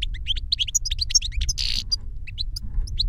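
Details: Caged European goldfinch singing, from a Spanish silvestrismo pairing of a master bird and the young pupil it taught through a recorded CD: dense liquid twitters and quick chirps, a brief raspy burst midway, constant low background rumble.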